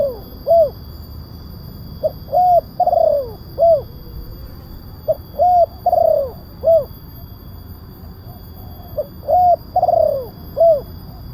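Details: Lure call of a spotted dove for wild doves: three phrases, each a brief note, a double coo, a long falling coo and a final rounded coo, repeated about every three seconds over constant hum.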